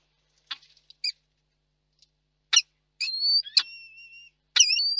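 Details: Peregrine falcons at a nest in Reda, Poland, meeting after a storm on the evening of 1 July 2022. Scattered short rasps lead into drawn-out, whining, nasal wails, each beginning with a harsh burst and holding a steady tone.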